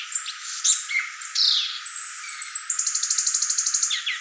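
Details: Song of a violaceous euphonia: a few high squeaky notes and a downslurred whistle, then a thin high buzz that breaks into a fast, even rattling trill of about a dozen pulses.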